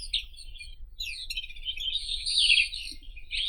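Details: Singing White-throated robin: fast, scratchy twittering and buzzy high notes, rising to a loud, dense trill in the middle of the phrase. Soft low background noise throughout.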